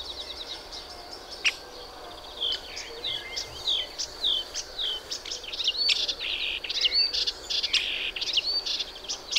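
A melodious warbler sings a fast, babbling run of high chattering and slurred notes, starting hesitantly and then pouring out without pause over a steady hiss of background noise.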